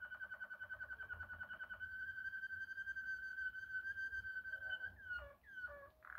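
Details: Waterslager Malinois canary in klokkende style: quick pulsed notes give way to a long, pure, sustained whistle held for several seconds, ending in short downward-sliding watery notes. A faint low hum runs throughout.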